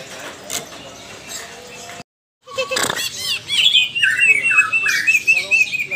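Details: Lesser green leafbird (Chloropsis cyanopogon), a caged bird learning to "ngetrok" and to respond to rivals before a contest, gives bright, sweeping whistled phrases and quick chattering notes after a brief silence, over muffled background noise.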